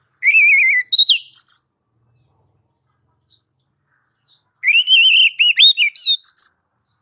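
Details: Oriental magpie-robin song used to draw a response from other birds: a wavering whistle, then short buzzy notes, a long silence, and a second phrase of warbled whistles and rapid chirps.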